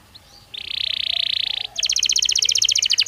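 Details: Belgian canary in song for training other canaries daily: after a soft chip, a loud sustained buzzing roll, then a crisp fast trill of evenly spaced bright notes.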